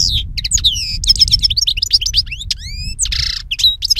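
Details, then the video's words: A European goldfinch (Carduelis carduelis) sings a fast, tinkling stream of high twittering notes with liquid upslurs and a harsh buzzy burst, showing song variations, over a faint low hum. "Jilguero Europeo Cantando - European Goldfinch Singing"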